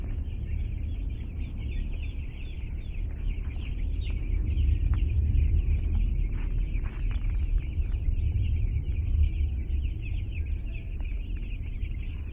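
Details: A flock of two-day-old chicks just arrived at a home keeps up continuous high peeping, while a heavy low rumble, like a vehicle or handling noise, runs underneath.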